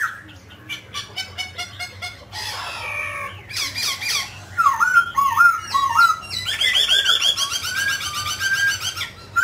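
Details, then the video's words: Mutant grey laughingthrush singing while dancing: rapid squeaky harmonic notes in bursts, then rich warbled phrases and a long run of buzzy, rolling trills toward the end, with a low steady hum beneath. "Chú chim khứu xám tro đột biến hót múa cực đẳng cấp"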